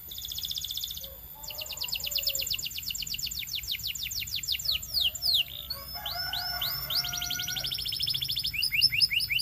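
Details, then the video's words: Belgian canary, a male, in full song: a short buzzy roll, then a long series of rapid rising whistled notes, swooping slurs and a second quick trill, steady and loud throughout. "Belgian Canary Singing"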